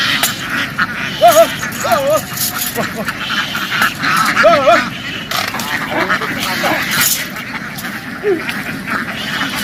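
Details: Flock of farm ducks in a field running into the water and back ashore; repeated wavering quacks from several birds over a continuous murmur of chatter and splashing.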